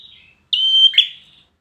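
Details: Single phrase from a competition bar-winged prinia: a faint lead-in note, then a strong sustained high whistle lasting almost half a second, finishing in a rough, lower buzzy flourish.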